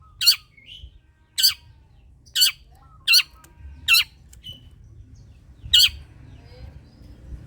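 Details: Cendet or long-tailed shrike, a lure track to encourage lazy shrikes to sing: six short grating calls at uneven gaps of about one second, with brief faint chirps in between and low background noise.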